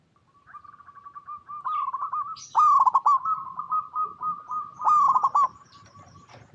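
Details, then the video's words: Zebra dove song, a local bird's voice used to prompt other zebra doves to sing: a quiet rolling coo building into two loud bursts of rapid stuttered notes, then fading back to a soft trill. "Perkutut Lokal Gacor RAJA PIKAT Paling AMPUH | SUARA Bikin Semua Burung Perkutut Langsung Nyaut"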